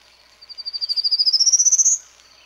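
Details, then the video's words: Singing male Prairie warbler advertising on his territory in Ontario on a Sunday morning after a storm; about twenty buzzy notes that build in loudness and climb steadily in pitch for one and a half seconds. "Prairie Warbler Portrait Extended"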